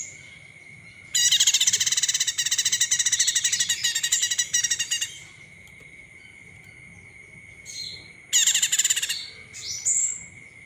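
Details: Olive-backed tailorbird lure call meant to excite other birds into singing: a long, loud, rapid trill of sharp repeated notes lasting about four seconds, a pause, then a shorter trill burst and a few high rising chirps.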